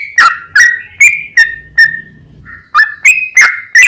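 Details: Lure recording of a yellow-vented bulbul in lively long-running 'ropel panjang' song, meant to stir other bulbuls to answer; separate loud liquid notes spaced roughly half a second apart, with a brief lull midway.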